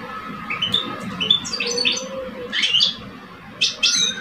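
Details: Two caged male European goldfinches in Algeria, one older and one two years old, face off in a singing contest; scattered high, thin chirps and short twittered phrases come in bursts over a low, steady background hum.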